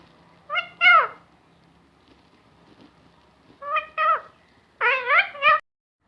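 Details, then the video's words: Parrot talking, with Allah Hoo among its many words: a two-syllable phrase, a pause with faint clicks, then another pair and a quick run of three voiced syllables. "Talking Parrot saying Allah Hoo and many more words"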